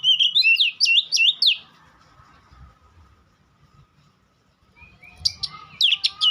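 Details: Song of a White-rumped shama: a rapid run of bright, looping whistles at the start, a quiet gap with low background hum, then sharp high chips and renewed whistled notes at the end.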